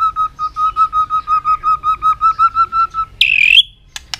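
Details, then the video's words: White-rumped shama in peak form, singing competitively and flicking its tail: a steady run of about fifteen short, even notes repeated rapidly, then one loud, sharply rising harsh phrase and a few clicks. "chòe lửa đạt điểm lửa hót đánh đuôi liên tục"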